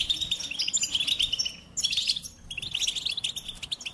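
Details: Goldfinch singing a rapid twittering song of bright chirps and trills between 3 and 8k, pausing briefly near the middle before resuming with fast tinkling notes.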